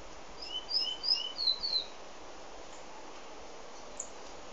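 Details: A pet White-collared seedeater (dominico) singing, recorded from inside the house: a short burst of about eight high, thin, sweet notes alternating between two pitches over roughly a second and a half, then quiet background hiss.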